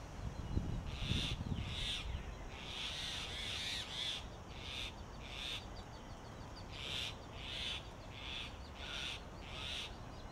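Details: Grey hornbill at a nest cavity in a tree trunk in Delhi in summer, as a male feeds the female sealed inside while she incubates eggs. A long series of harsh, squeaky notes repeats in uneven bursts, with a low rumble early on.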